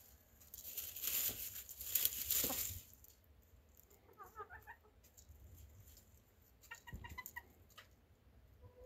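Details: Chicken giving short, harmonic clucking notes in a quick run of about half a second near the middle, then another brief burst near the end, with loud rustling and scratching noise in the first seconds.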